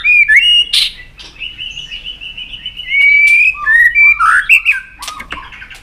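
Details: White-rumped shama singing with many voices, heard in a session meant to excite it: long, steady, fluty whistles, then rich warbled and slurred phrases. Sharp chips come between the phrases.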